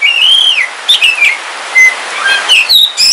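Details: Black Kalimantan oriental magpie-robin, a household pet, singing as rain falls: one long arched whistle, then shorter gliding whistles and a flat pure note over soft rain hiss.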